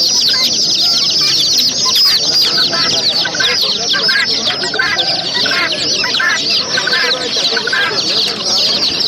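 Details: Chicks chirp nonstop in a thick, high chorus of quick falling peeps. Fainter lower sounds lie underneath.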